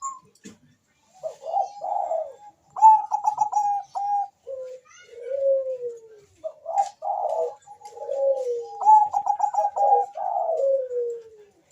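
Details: Cooing song of a Bangkok zebra dove, used to spark breeding mood and song in other doves: bursts of rapid tremulous notes, then gliding downward coos, several phrases separated by brief silences.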